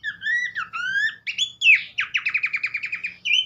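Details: Horsfield's babbler (pelanduk semak) in full song, a recording played to spur other birds into singing: clear whistled notes sliding up and down, then a fast run of about ten sharp repeated chips, ending on a rising whistle.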